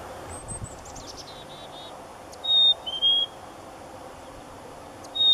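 Black-capped chickadee giving clear, pure whistles, a higher note dropping to a slightly lower one, repeated. A faint run of thin, high descending notes comes first.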